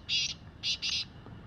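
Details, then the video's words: Wild black francolin giving harsh buzzy notes. There are three rasping bursts, the last two close together, over quiet low rumble. "Black Partridge Sound | Desi Azad Kala Teetar | Jungli Kalay Teetar ki Awaz |Francolin Voice"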